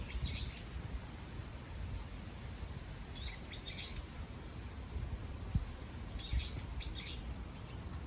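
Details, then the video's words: Wild birds chirping outdoors in Daejeon, South Korea, in three short bright bursts of quick high twittering notes a few seconds apart, over a steady low rush of wind. "바람소리와 새들이 지저귀는 소리.(sound of wind and a bird's chirpings)"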